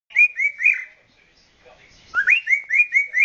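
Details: Male cockatiel, nine months old, courting: bright whistled notes that rise and slur upward, given in a quick run, a short pause, then another run of similar rising whistles.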